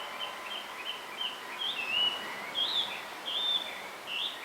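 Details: A male blue rock thrush calls for a female on a bamboo hill, giving short, bright whistled phrases with rising and falling twists, separated by brief pauses, over a soft noisy background.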